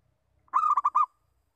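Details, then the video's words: Local zebra dove uttering a lure call, a single short phrase of four or five fast, throaty cooing notes run together into a rolling trill. "Perkutut Lokal Bersuara Pikat"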